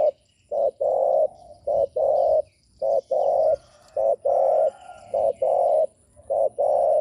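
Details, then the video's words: Spotted dove cooing, played to provoke wild doves: clear, low coos in pairs, a short note followed by a longer, fuller one, the pattern repeating steadily about every second. "Chim cu gáy gù mở lên kích bổi cực hay"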